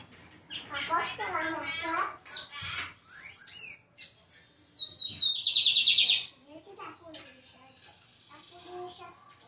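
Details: Lined seedeater, a captive songbird in Brazil, singing a varied song: fast buzzy trills and chattering notes, then a high whistled note and a loud sustained buzzy phrase, with faint background chirps.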